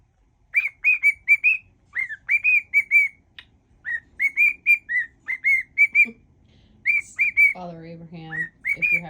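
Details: Cockatiel whistling a medley including Father Abraham and If You're Happy and You Know It; fast groups of clear, gliding whistles, with a man's voice briefly overlapping near the end.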